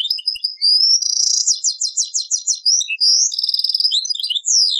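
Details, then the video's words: Old cassette recording of a European goldfinch in taqsrayn-style song, a continuous fast medley of high liquid twitters, rolling trills and upslurred whistles with no pauses. "تغريد تقصراين"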